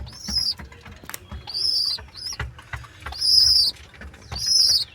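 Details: Two baby pigeons (squabs) giving their 'chu-chu' calls: thin, high, wheezy squeaks, four drawn-out bursts about a second apart, each rising then falling slightly, over a faint low rumble.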